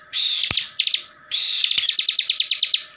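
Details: Ciblek (bar-winged prinia) kept in Slawi, Central Java, singing continuously in ngebren style to provoke other ciblek. Two loud scratchy bursts, each followed by a fast run of sharp high repeated notes, about a dozen in the second run.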